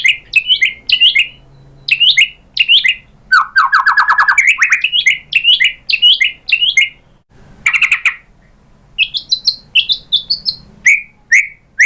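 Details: White-rumped shama song played to prompt another bird to sing: a varied run of quick, bright, chirping phrases that jump between high and lower notes, with a dense burst of rapid notes in the middle and brief pauses.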